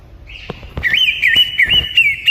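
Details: Greater green leafbird, a male in song: a sustained, wavering whistled phrase with quick up-and-down loops, over faint clicks and low background rumble.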